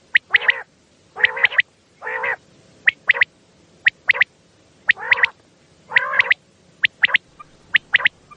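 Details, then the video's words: Night calling of common quail, a recording used to lure quail for hunting: crisp repeated triplets of short high notes alternating with longer nasal, layered calls, steady throughout. "Raat Ka Batair |Hunting | की आवाज़ | Bildirçin səsi | رات کو بٹیر جمع کرنے والا والیوم"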